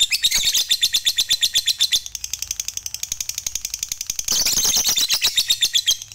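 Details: Fighter lovebird singing long ngekek chatter to provoke other lovebirds into singing. A dense, rapid stream of high, scratchy pulses softens in the middle, then returns louder and buzzier.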